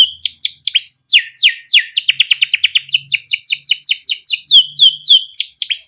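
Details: Canary song for training young birds, by a caged male with 'cuit cuit ngerol' style: swooping chirps, a quick rattling roll, and a steady string of slurred whistled notes about three per second.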